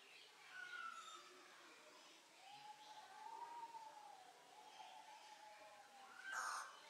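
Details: Tataupa tinamou (Crypturellus tataupa) in a zoo calling: a shorter higher whistle, then a long, mellow whistle that swells slightly and sags, over a steady hiss.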